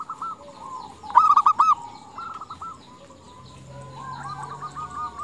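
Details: Zebra dove female calling to males: one loud, clipped phrase of four rolling coos just after the first second, then fainter cooing phrases from other doves through the rest.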